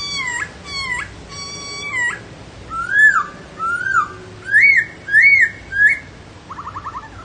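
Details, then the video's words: Laughingthrush song: three repeated dipping whistles, then a series of loud arched whistled notes with pauses between them. Closes with a fast, quiet rattling trill. "HÓT NHƯ KHƯỚU"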